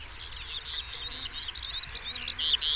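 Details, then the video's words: A European stonechat's song, a steady, fast warble of scratchy, wavering high notes running without pause and growing louder toward the end. "Der Gesang des Schwarzkehlchens"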